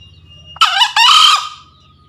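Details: Male green junglefowl crowing to call a rival, used as a lure sound: one loud, harsh two-part crow, a short rasping burst followed by a longer hoarse drawn-out note, over a faint low hum.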